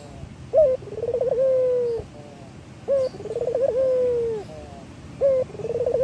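A male Barbary dove coos three times, every two and a half seconds: a short note, a rolling burr, then a long low drawn-out coo, over faint background hum.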